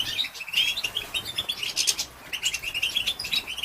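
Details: Female European goldfinch giving batbata calls meant to excite males: rapid, bright twittering chirps, high and jingling, in dense bursts with brief gaps near half a second and two seconds.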